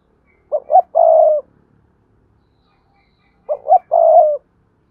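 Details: Spotted dove, a lure call for wild doves: two identical phrases about three seconds apart, two brief rising hoots then a long throaty coo, on a quiet background.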